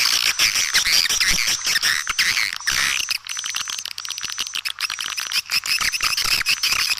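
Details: Swiftlet calling sound for luring birds: continuous high twittering and rapid clicking, roughly two bursts a second, dipping briefly before resuming at full density.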